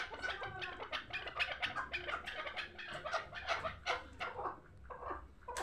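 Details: Young hybrid chukar partridge from last year's brood, raised for fighting and hunting. It utters dense, raspy chuk-like clucks in quick irregular succession, then a brief pause before one final note.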